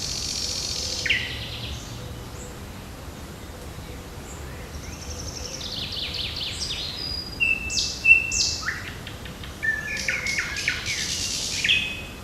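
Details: Birdsong in a park and forest on the morning of June 8: scattered high chirps and brief whistled phrases. A long quieter stretch gives way to livelier overlapping calls toward the end, over a faint constant background hiss.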